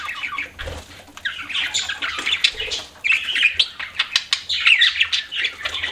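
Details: Pet budgerigars keep up a continuous scratchy warble of chirps, squawks and quick whistled notes, growing busier in the second half.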